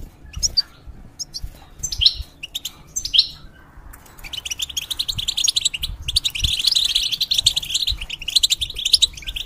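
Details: ['Caged European goldfinch, a feather-changer bird kept for tutoring young goldfinch hybrids: a few scattered sharp chirps first, then a long fast twittering run of tinkling, buzzy notes, with faint low thumps beneath.']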